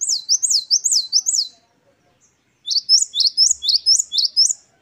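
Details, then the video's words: Two runs of a Great tit's wucit2 song, a prolific singer's variation: bright, high, rising-falling double notes delivered about twice per second, separated by a short silence. "Glatik Wucit2 10 variasi Masteran Gelatik Gacor"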